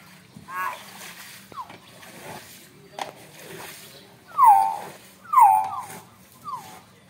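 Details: Loud young Nias hill myna making a series of falling whistled notes. After some soft sounds, three stronger descending calls come roughly one second apart, the last one quieter.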